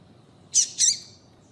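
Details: Female double-collared seedeater calling to stir a male into song: a pair of quick, high, slurred chirps in fast succession, the second slightly longer and trailing off, against faint steady background noise.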